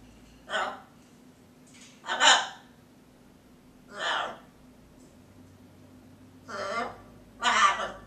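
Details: A female blue-and-gold macaw talks to herself in five short, raspy, breathy bursts spaced one to two seconds apart, against a quiet indoor room.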